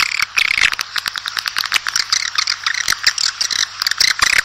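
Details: Swiftlets calling outside to summon the flock, a dense rattling chatter of rapid buzzy chirps that runs on without a break.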